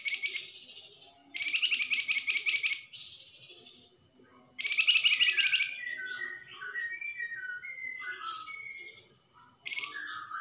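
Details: A flamboyan bird's fast, energetic song of high buzzy bursts and rattling trills, then a run of short whistled notes slurring up and down. No other clear sounds.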